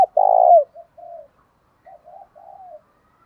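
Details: Spotted dove call meant to provoke fights and summon rivals, used in training doves. One loud, long, hollow coo slides downward, followed by several soft, quieter coo notes.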